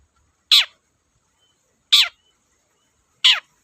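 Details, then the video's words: Long-tailed shrike, known locally as cendet, a lure recording for training cage birds: a harsh, descending, scratchy note repeated three times at roughly 1.4-second intervals, with quiet pauses between. "BURUNG CENDET GACOR DORR, BIANGNYA PANCINGAN CENDET LOYO"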